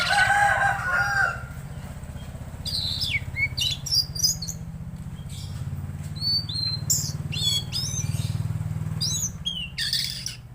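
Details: Lively Tledekan Laut song: brief noisy rustle at the start, then clusters of sharp, high chirps and quick downward-slurred whistles in uneven bursts, backed by a continuous low mechanical hum.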